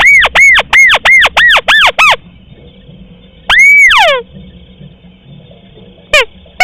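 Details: Rice-field crake lure: a fast series of seven arched whistled notes, about three per second. Then comes one long rising whistle with a descending slur, and two brief clipped notes near the end over a faint steady high tone.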